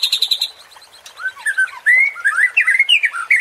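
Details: White-rumped shama song used to provoke other shamas: a quick burst of high repeated notes, then loud varied whistles and slurred phrases, rising and falling.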